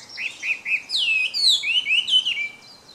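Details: A hwamei sings in the wild, opening with three short looping whistles, then bursting into loud descending swoops and rapid slurred phrases before fading off.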